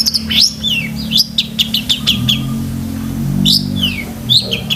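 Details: Long-tailed shrike song meant for training pet shrikes: clusters of sharp chirps and falling whistled slurs separated by short pauses, over a continuous low hum.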